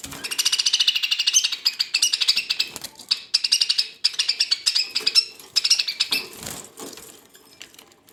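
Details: Budgerigars in a fierce quarrel among kept ornamental birds: dense, rapid, buzzy chattering and scratchy warbling runs almost without pause for six seconds, then fades into softer, scattered chirps indoors.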